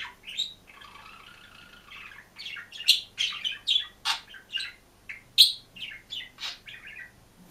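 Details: Green pet budgerigar singing and chirping alone in its cage: a lively run of chattering, scratchy warbles and squeaky chirps, starting with a brief rasping phrase and continuing as rapid, varied notes indoors.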